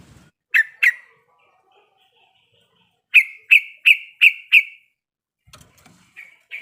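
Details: Female yellow-vented bulbul in breeding condition calling the male: two sharp chirps, a pause, then a quick run of five bright, clipped chirping notes, with softer scattered chirps near the end.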